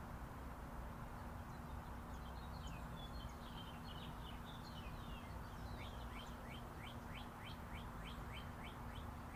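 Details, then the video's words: Chirping birds recorded raw outdoors near Interstate 40: faint scattered twitters at first, then a clear series of short rising chirps repeated about three a second, under constant low highway roar. "Chirping Birds"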